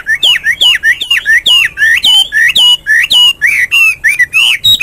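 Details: Morning song of a Hwamei: loud, rich, rapid phrases, each a sweeping whistle with a sharp downward slur below, repeated almost twice a second in a lively, varied sequence.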